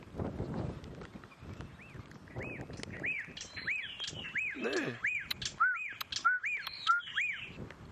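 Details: Black-backed Puffback calling very close during a drizzly sunrise drive in the African bush in November, giving short, arched whistled notes about every half second with sharper clicks mixed in; a low rumble and another brief call underneath.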